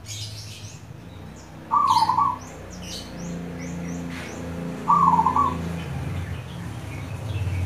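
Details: A local zebra dove (perkutut lokal) gives two brief trilled coo phrases about three seconds apart, over a low steady hum with scattered high chirps from other birds.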